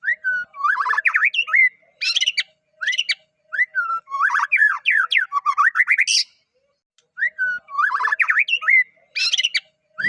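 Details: White-rumped shama from Medan, a caged bird, in a rich varied song of slurred rising and falling whistles and rapid trills in phrases separated by short pauses.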